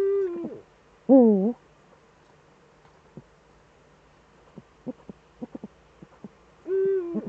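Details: Two Eurasian eagle-owls, a pair back together in the Eifel, Germany, on the evening of 11 March 2013 at 18:47: a short falling call, then a wavering nasal call and a level call that sags at its end, with faint clicks between.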